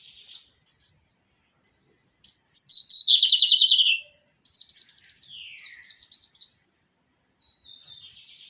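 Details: Lined seedeater, the bird called pirata, singing: sparse high chips, then a thin whistle sliding into a loud buzzy trill of rapid notes, followed by scratchy chip bursts and a falling slurred note. No other sounds.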